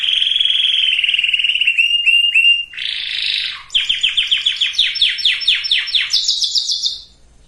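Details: Canary singing to prepare males and females for breeding; a long steady trill, a few clipped notes, a harsh buzz, then rapid falling sweeps rising in pitch toward the end before stopping.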